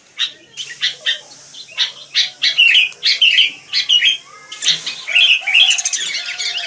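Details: Busy calling from wild sooty-headed bulbuls: separate sharp chirps come at an uneven pace, roughly one or two per second, mixed with sweeter whistled notes and a flurry of twittering near the close.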